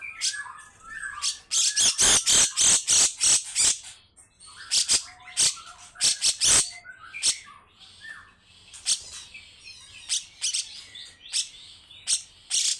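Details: A long, rough 'besetan' song from a grey-cheeked bulbul: a fast volley of about a dozen rasping bursts, then looser phrases of scratchy notes, short whistles and chatter.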